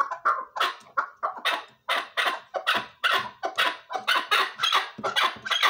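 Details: Chukar partridge calling in a fast, steady series of harsh clucking chuk notes, about two per second, each note broad and rasping around the middle of the range, building in loudness through the clip.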